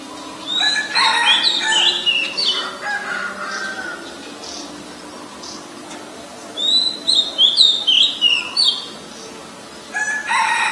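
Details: Oriental magpie-robin singing in Ubon Ratchathani, Thailand, 23 December 2019, filmed on a Nikon P1000: varied bright whistled phrases with fast sweeping and chattering notes, a first burst, a quieter lull, then a louder series.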